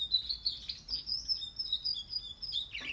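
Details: Young canary, 44 days old, singing a continuous warbling subsong: high, wavering whistled notes running unbroken for about three seconds, ending in a downward slur, over faint low background noise.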